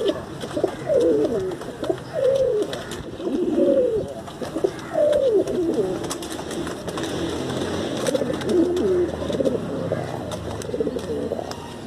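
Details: Pigeon cooing with several low, wavering, throaty phrases in the first half, then softer, muddled coos among background rustling and faint voices.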